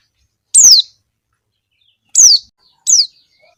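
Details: Calling female Javan white-eye used to lure wild males: three piercing downslurred notes, the first standing alone, the last two following in quick succession about half a second apart.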